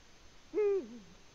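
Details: Nesting Eurasian eagle-owl, Latvia, 14 February 2020: one steady, mid-low hoot held for about a quarter second, then sliding downward into a softer, lower tail, with stacked overtones over a calm background.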